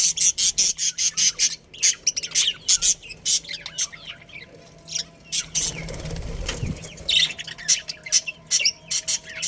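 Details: Budgerigars, a breeding pair in a colony, chirping: many rapid high chirps and squawky bursts in dense clusters, with warbling chatter from several birds and a steady low hum.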